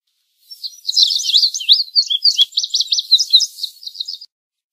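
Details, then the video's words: Single indigo bunting song of rapid, high, doubled whistles lasting about four seconds, heard over a light background hiss. "Indigo Bunting Song"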